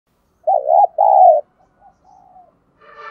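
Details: Caged decoy spotted dove calling to provoke wild doves: two loud, low hooting coos in quick succession, the first wavering, followed by fainter drawn-out notes and a brief higher sound at the end.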